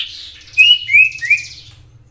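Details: Common iora, used as a lure for other ioras: three bright, rising chirps, each ending in a sharp note, delivered in under a second.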